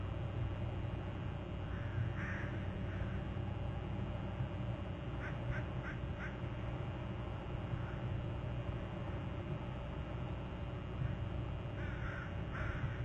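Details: Eagle at the nest territory on Hornby Island on July 31, giving a quick burst of sharp, high chirped notes mid-way and a few scattered calls later, all over constant deep background hum.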